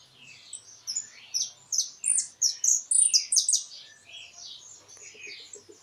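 European goldfinch singing a fast, tinkling twitter of high, liquid notes and trills, several phrases per second, with no other clear sounds.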